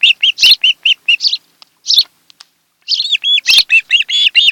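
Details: A mated osprey pair at the nest on Kent Island, Maryland, July 2018 afternoon, nest camera. Rapid repeated whistled chirps, then a short lull, then a surging run of slurred, rising and falling piping calls.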